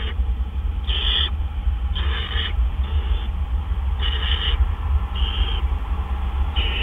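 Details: Owl at 4:03 AM on 12 April 2013 as a male arrives with food. Six harsh rasping hisses, each about half a second long, sound at irregular one-second intervals over a low rumbling hum.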